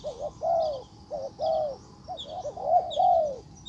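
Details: Spotted dove decoy calling in a wild bird: repeated low hooting coos in short phrases, rising then falling, over a steady hum with high insect buzzing in the background.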